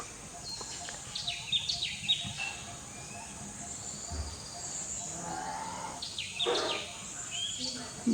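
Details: A Golden-fronted Leafbird at Kulgi Nature Camp near Dandeli, Karnataka, India, on the morning of 20 January 2024, gives quick, high whistled notes and sharp sweeping chips in short bursts, over a steady background hiss.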